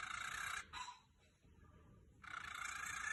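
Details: Pet cockatiel snoring: two harsh, breathy rasping bursts with a fine rapid pulsing texture, the first lasting about half a second, then near silence for over a second before a longer raspy hiss returns.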